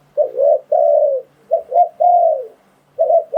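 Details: Spotted dove calling to lure wild doves for trapping: clean, low coos, a short double note then a drawn-out, gently descending note, repeated twice over near silence.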